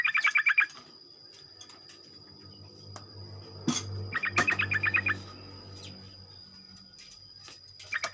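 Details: Morning singing of a sooty-headed bulbul, used to spur other bulbuls to sing rapidly: quieter bursts of quick bubbly repeated notes at the start, middle and end, separated by noisy gaps with sharp clicks and a steady high whine.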